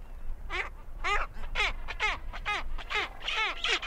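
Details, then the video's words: Great skua calling while invading the territories of two adjacent penguin pairs: a rapid series of harsh, nasal, downward-bending notes, roughly two or three a second, with faint background noise. "Great Skua. Skua Calls As They Invade Territories Of Two Adjacent Penguin Pairs."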